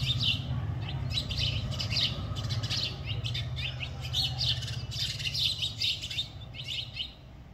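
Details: Morning chatter of house sparrows sheltered and fed inside a family home: dense, lively chirping from several birds in quick overlapping bursts, fading slightly at the end, with a low rumbling hum underneath.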